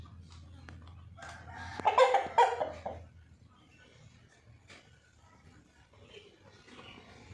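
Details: White rooster giving a shorter, rougher crow of about one second amid low rumble and scattered clicks and background noise.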